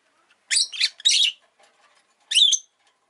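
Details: Pet rosy-faced lovebird chattering: a run of loud, harsh, warbling chirps, then a pause and one more strident, wavering call.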